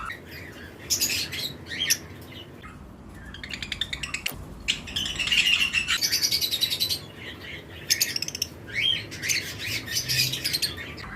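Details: Lovebirds of several colour mutations, pairs kept in a flight colony during breeding season, give shrill high chirps in short bursts, some dense rapid chatters, separated by brief quiet gaps, with other birds calling around them.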